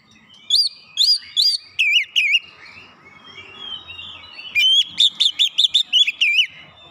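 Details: Kacer song played to rouse a lazy bird into showing its learned song: three bright slurred whistles, a quieter gap with soft warbling, then a rapid run of repeated sharp whistled notes.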